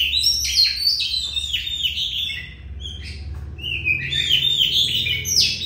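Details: Oriental magpie-robin in a long continuous song, fast varied whistled and slurred phrases, rapid notes roughly three per second, pausing briefly mid-clip before resuming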